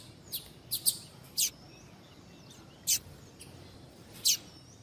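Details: Rusty-collared seedeater (Sporophila caerulescens), possibly a female calling to warm up a male for tournaments, giving sharp, very high chips, about six brief notes at uneven intervals over a faint, quiet background.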